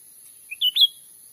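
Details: Lure call of cucak ranting (grey-bellied bulbul) for catching wild birds in Sumatran forest. A brief soft note, then two rich slurred whistles in rapid sequence, the last rising and lingering. Nothing else clearly audible.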